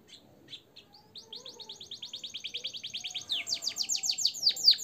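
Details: Caged canary singing in blackthroat and sanger style as tutor material: a few scattered chirps open into a long rolling trill of rapid, evenly repeated notes that grows steadily louder and ends in faster, sharper downward sweeps.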